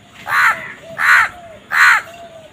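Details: Crow giving three loud, harsh caws, each a broad rasping burst about a third of a second long, spaced roughly 0.7 seconds apart over a quiet background.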